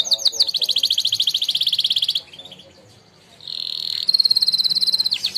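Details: Singing-contest winner canary with a training song: a long, even, rapid rattling trill, a short near-silent break, then a smooth sustained tone leading into another fast pulsing trill.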